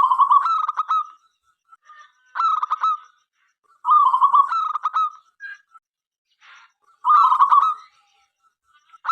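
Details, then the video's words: Local zebra dove in full, persistent song, meant to coax other doves into singing: low, cooing phrases near one pitch, broken by quick staccato notes, repeated about every one and a half seconds with short silences between. "perkutut lokal gacor suara MENGGODA apapun jenisnya 5 detik nyaut"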